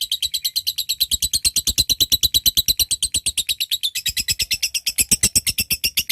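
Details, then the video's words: Lovebird in strong voice delivering a long ngekek call toward a rival, used as a lure for other lovebirds: a fast, regular, rattling series of high chattering notes, roughly three per second, unbroken throughout. "Suara LOVEBIRD GACOR, NGETIK Lanjut NGEKEK PANJANG Memanggil LAWAN"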